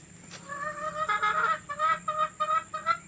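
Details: Hen cackling recorded to play for hens ready to lay: a rapid, uneven chain of short nasal notes, with a louder burst near the start.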